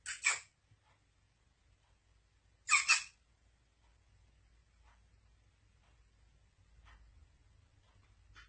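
Black francolin giving two harsh, grating double-noted bursts about two and a half seconds apart, then faint scattered clicks against a low room hum.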